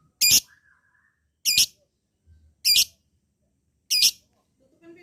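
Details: Lovebird giving four loud, harsh, high squawks, each brief and evenly spaced about every second and a quarter, with silence between them.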